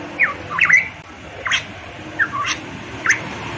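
Variable pitohui giving five or six harsh, slurred notes that drop in pitch, spaced about half a second to a second apart, over steady background hiss.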